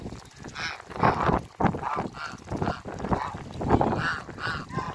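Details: Backyard flock of Toulouse and African geese giving loud, nasal honks in quick overlapping series, roughly two or three per second, with a steady hiss of background noise.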